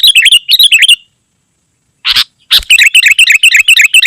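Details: Sooty-headed bulbul singing nonstop in a very dense style, played to lure wild birds and tutor caged birds: rapid runs of chirpy, tumbling notes, a short pause and sharp bursts, then another fast stream.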